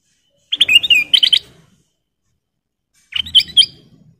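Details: Kutilang emas bulbul singing in two lively bursts of quick, bubbling whistled notes that rise and fall, over a soft low background murmur; a master recording meant for training cage birds.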